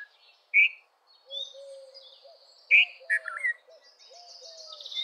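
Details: Red-vented bulbul calling with short, bright, slurred notes in brief bursts, two loud phrases about two seconds apart; a lower bird repeats soft, hollow notes in the background, with high twittering near the end.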